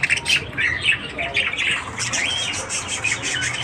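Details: Morning budgie chatter, rapid raspy warbles and short sharp whistles packed closely together, high-pitched and continuous, with faint low hum beneath.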